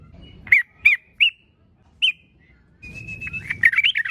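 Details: Yellow-vented bulbul singing energetically, recording meant to prompt other bulbuls to sing: four short, clipped chirps spaced under a second apart, a pause, then a fast, tumbling burst of warbled notes, faint low rumble beneath.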